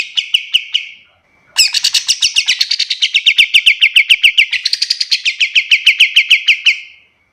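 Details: Tutor song of a pied triller for teaching other birds: a short trill, a brief gap, then a long rapid series of bright repeated notes. The pitch steps up midway before easing back down.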